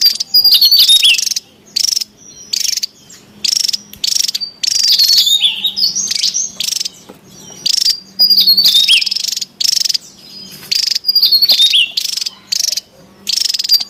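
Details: Wild Javan tesia, loud and excited, a lure and training recording: repeated bursts of high pulsed buzzing, each paired with sliding whistled notes, separated by short pauses, continuing steadily for over ten seconds.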